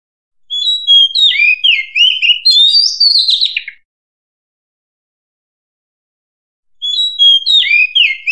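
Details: Wild oriental magpie-robin singing: a rich phrase of varied whistled notes, sliding up and down and lasting about three seconds, then a long silence before the next phrase begins.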